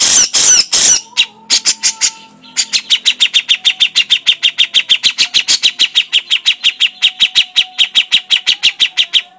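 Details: Grey-cheeked bulbul, called cucak jenggot, in a long crecetan rattle: harsh bursts open it, then dry clicking notes repeat steadily about three times a second for several seconds.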